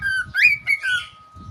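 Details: Pet cockatiel calling indoors: a short series of clear whistled notes, rising from a low start into a bright upslurred whistle, then a level whistle that falls away, with faint low background rumble and a steady electrical hum.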